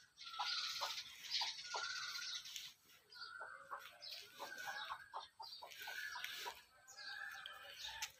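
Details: Chickens being fed give a run of short, repeated clucks with many brief notes through the clip, over a background of higher chirping and a steady hiss.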